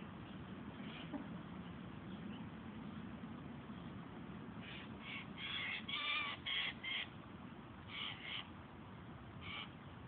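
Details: Hungry Eurasian jays screech with harsh, raspy bursts that cluster in the middle and then come in spaced pairs, over a steady low background rumble.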